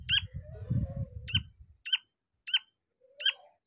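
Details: Black francolin chick giving short, sharp, high peeps, repeated about every three quarters of a second, with low rumbling handling noise during the first two seconds.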